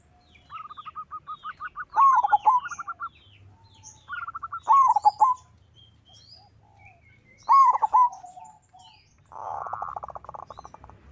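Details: Local zebra dove's challenging song, meant to lure other doves into singing: three phrases, each a rapid series of short mellow notes ending in a warbled, dipping coo, roughly every three seconds. A buzzy rattle closes the run, with faint high chirps of other birds.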